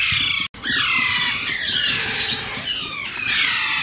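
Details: Alexandrine parakeet chick being hand-fed, emitting a sustained harsh screeching rasp that rises and falls, interrupted once by a sudden brief silence near the start.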